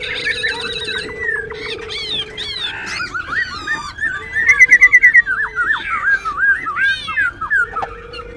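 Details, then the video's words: Captive wild-caught white-cheeked laughingthrush, kept in Ho Chi Minh City and praised for its voice and singing display, gives a rich, fast song of slurred whistles and chattering notes with a brief rapid trill midway, over a steady low hum. "Khướu Bạc Má Bổi Lỡ Hót Múa siêu Mỏ, siêu Giọng"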